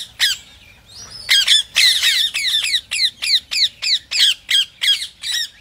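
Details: Rose-ringed parakeet calling to stimulate other parrots to sing: loud, piercing squawks that slur downward, repeated evenly at roughly three per second after a short opening pause.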